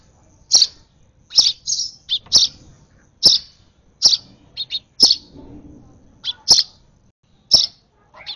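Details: Baby sparrow being hand-fed begs with roughly twelve sharp, high chirps, some doubled into quick pairs, against a quiet background with slight handling sounds.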